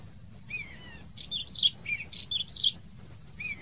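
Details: Black wheatear calling: a string of short, high chirping and whistled notes, some rising or twisting, spaced unevenly, with a final softer note after a pause and quiet background noise.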